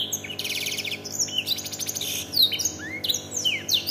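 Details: Caged domestic canary trained on black-throated canary song, giving high buzzy trills and quick sweeping chirps over a faint steady hum.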